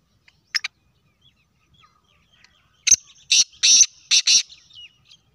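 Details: Black francolin (kala teetar), a full-size bird, calling: a brief harsh double note, then after a quiet pause a loud, grating phrase of about five rasping bursts packed into roughly one and a half seconds.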